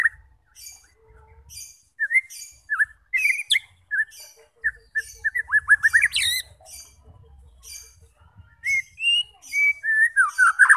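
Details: White-rumped shama song for provoking fighters into singing: scattered whistled notes and sharp chips in short bursts, a faint low repeated note, then a flurry of fluty phrases near the end.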